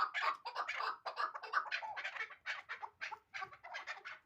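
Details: A year-old hybrid chukar partridge chatters: gruff, clipped chuk notes in quick clusters, spacing out into separate pulses toward the end of the short burst.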